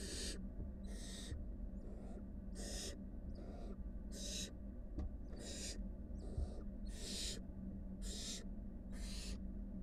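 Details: Wild barn owl family at a nest, a mother with five nestlings; harsh broadband hissing screeches repeated roughly every second, each burst about half a second long, over steady low hum.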